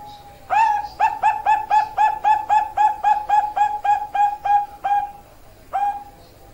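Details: Zebra dove song of rapid staccato cooing notes, about a dozen in quick even succession at mid pitch with harmonic overtones, then a short break and a single final note; indoor-sounding setting.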